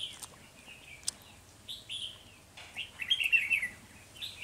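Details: Caged decoy Red-whiskered bulbul singing while wild birds are trapped early in the season, 3 November 2020: rising and falling whistled phrases, quiet at first, then a loud, quick warbling run in the second half.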